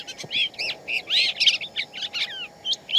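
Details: Shama in the wild pouring out a rich, continuous song of varied fluty whistles, slurred up-and-down notes and rapid warbles in quick succession, with a low constant hum in the background.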